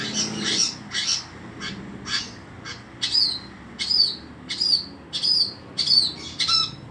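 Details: Long-tailed shrike in lively song: a run of sharp, high chirped notes repeated about every half second to second, each a quick bright downslurred whistle, with a rougher burst near the start and quiet background.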